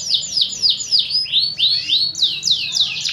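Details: Training song of a fighting canary: loud, high whistled notes that swoop downward, about four per second, the sweeps becoming slower and fuller in the middle before quickening again.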